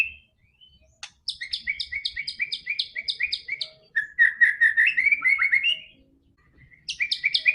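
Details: White-rumped shama singing, a track to make a silent bird sing quickly: a sharp click, then a rapid series of paired high and lower chirps, a fast warbled run of whistles, and more paired chirps at the end.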